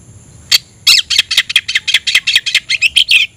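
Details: Oriental magpie-robin singing hard with tail spread to provoke a rival into fighting: a fast, steady series of about fifteen harsh, scratchy chattering notes.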